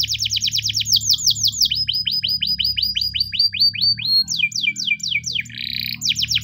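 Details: Spanish Timbrado canary singing in the morning: fast trilled tours, a run of evenly spaced downward-slurred whistles, then a buzzy burst and rapid chirped phrases, over a faint low hum.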